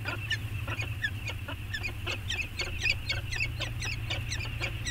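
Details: Peregrine falcons, returned to Anacapa and bonding, 14 August 2021, nest camera recording: quick scratchy notes repeated about four per second with irregular spacing, over continuous low rumbling noise.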